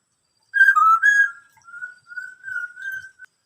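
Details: Black-throated laughingthrush giving "bắt cô trói cột" song: an opening burst of warbled whistles, followed by a string of level, pure whistled notes held steady at a single pitch, fading in and out.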